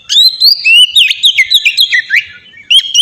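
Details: White-rumped shama singing as a lure for other shamas: clear whistles rising and falling in quick succession, ending in a short gap and one more whistled note.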